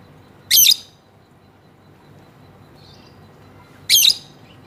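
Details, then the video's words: Two sharp, grating screeches from a female lovebird, about three seconds apart, with near silence between them. "lovebird betina ngekek panjang"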